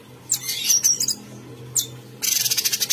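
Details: Bulbul known as cucak cungkok giving high slurred whistles and a sharp note, then launching into a fast pulsed rattle, singing constantly.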